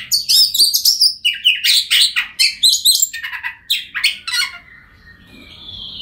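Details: Oriental magpie-robin song meant to get a silent bird singing: a fast run of loud squawking, chattering notes about twice a second for four seconds, ending in a thin steady whistle.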